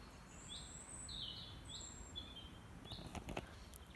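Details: Small birds, possibly in planted larch woodland, sing thin, high whistled notes and short chirps from the trees overhead, perhaps alerting each other to a walker, over low rustling and footsteps.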